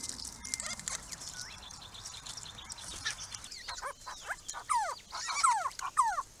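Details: Grey-crowned babbler group coming to a purpose-built pond on a rural property; faint chatter at first, then louder clear downslurred notes repeated rapidly toward the end, over a constant high insect-like hiss.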